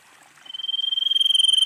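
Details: Calling female common iora, used as a lure for other ioras: a high, rapidly pulsed trill that swells from quiet to loud and keeps going without a break.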